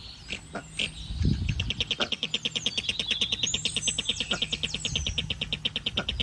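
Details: Falkland steamer duck (Tachyeres brachypterus), call.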